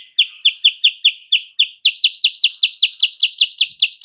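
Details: Rival-provoking lure song of a sooty-headed bulbul: a steady, fast series of about eighteen clipped, high chirps, each sliding downward, rising slightly in pitch toward the end, with no other sounds.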